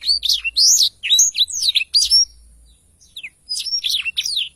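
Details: Very active Blackthroat in long rolling song: dense runs of high twittering notes with rising and falling whistles, broken by a short pause before another rapid chattering phrase.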